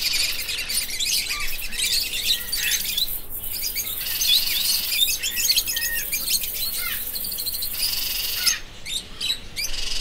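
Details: Loud parrot chatter: dense, grating squawks and screeches overlapping for about ten seconds, with a brief pause near the end.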